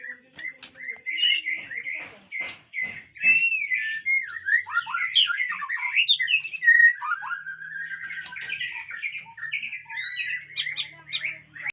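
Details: Captive-bred white-rumped shama of the Aceh type in a long, continuous song of warbled whistles, rapid slurs and scattered clicks, varying phrase after phrase with little pause.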